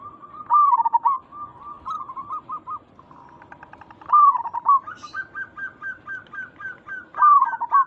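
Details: Zebra dove, local type, calling to lure responses; loud rolling, dipping coos recur about every three seconds, separated by softer runs of quick, evenly repeated hooked notes.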